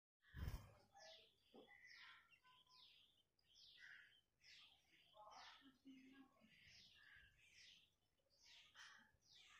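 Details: Tailorbird chicks in a nest in a hibiscus plant, being fed by a parent, give a steady run of thin, high, hissing begging notes in quick bursts, with a loud bump at the start and faint low background noise.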